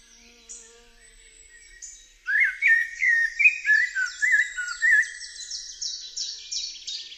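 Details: After a quiet start, a Eurasian blackbird pours out rich, rolling whistled notes in a flowing phrase, while faint high twittering continues above and trails on at the end.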